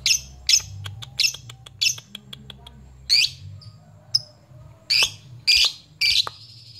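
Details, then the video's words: Lovebird in ngepyak mode, challenging rivals and meant to provoke fighter birds into calling: rapid harsh squawks, often paired, mixed with crisp clicks, and a denser burst of rasping screeches near the end. "Lovebird ngepyak Memanggil"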